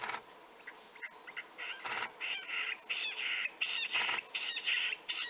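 Jungle bush quail giving a rapid run of short, scratchy mid-pitched notes, several per second, with a few sharp clicks and a thin high insect whine behind.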